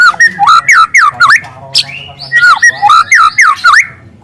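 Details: Young wild white-rumped shama delivering loud canary-style phrases: rapid series of looping whistled notes that dip and rise, repeated several times per second with brief gaps between bursts.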